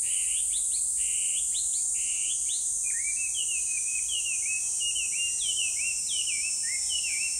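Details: Chinese hwamei singing: quick runs of clear whistled notes, first short rising chirps, then repeated down-slurred whistles, each phrase several times over, above a steady high insect drone.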